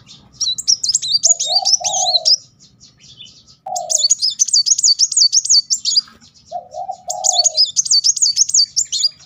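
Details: Van Hasselt's sunbird (kolibri wulung) singing in rapid 'nembak' bursts, used as a lure for birds that have stopped singing. Three high, thin, zigzag trilled phrases of about two seconds each, with a low mellow cooing underneath between them.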